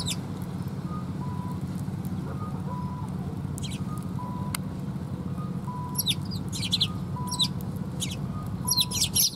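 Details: Sparrows coming to be fed at a Tenmangu shrine on 2 November 2021: bursts of sharp high chirps in the second half, over steady low hum and repeated electronic tone beeps.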